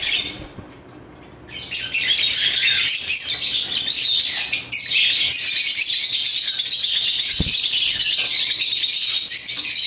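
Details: Pet African lovebirds playing with toys: quiet at first, then a sudden burst of loud, rapid, high chirping and squeaky twittering that carries on densely to the end, with a brief knock near the middle.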